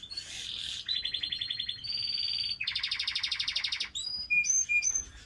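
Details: Canary song from Slovenia: a string of distinct rolling trills, each held a second or so at a different pitch, some buzzy, some ringing, ending in sharp high whistled notes alternating with lower ones.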